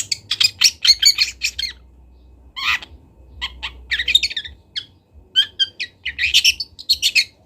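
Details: Long-tailed shrike of local Kendal origin, recorded for tutoring birds, opens with a fast chattering run, pauses, then gives scattered buzzy and clicking notes before another dense scratchy burst.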